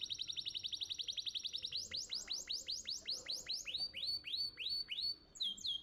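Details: Contest-winning canary singing master song: a steady fast trill followed by a long series of rising-then-falling whistled notes, ending in clipped high chirps.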